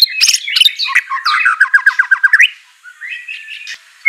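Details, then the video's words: Murai batu, the white-rumped shama, singing in training audio for a reluctant bird: bright fluttering phrases and a quick series of evenly spaced chirping notes, then a softer trailing warble, in a clean, quiet recording. "Murai Batu Malas BUNYI Pasti LANGSUNG NYAUT NARUNG dan GACOR"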